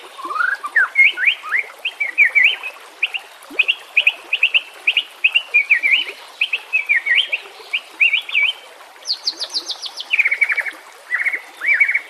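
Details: White-rumped shama song, used to lure and train silent birds, with nature ambience and running water: long sequence of quick, evenly spaced rising whistled notes, then a burst of very high ticks and lower slurred phrases.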